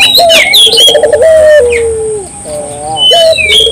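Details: Barbary dove in lively song, used to trigger local doves: loud high chirps of other birds open, then a low trilled coo that stretches into a long, gently falling tone, with a short rising note.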